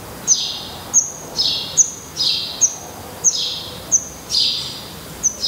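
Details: Black redstart chicks in a nest in Portugal, now with open eyes and growing adult feathers, give regular sharp high notes each trailed by a hissing, falling begging rush, about every 0.6 seconds.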